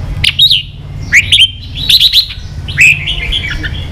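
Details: Red-whiskered bulbul, 'ché' training song: a few short whistled phrases, each a quick upward sweep into a wavering note, spaced about a second apart, over a low steady hum.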